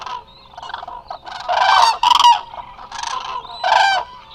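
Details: Eurasian cranes resting in a big gathering at the Hula Nature Reserve, Israel, filmed live: softer calls build into a loud rasping trumpet chorus, then a final strong call.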